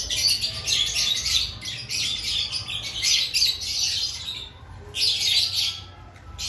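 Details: Lovebirds in the period before breeding season, several together. Busy, high, raspy chatter runs for about four seconds, pauses, then bursts out again, with quick, irregular chirps throughout.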